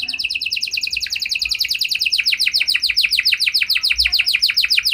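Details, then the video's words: Special canary song aimed at getting other canaries to sing in answer; steady series of rapid downslurred whistles, about three and a half per second, bright and rhythmic. "Kenari Gacor Lagu Istimewa! Langsung Nyaut Kenari Mana Saja Dengan Suara Burung Kenari Ini"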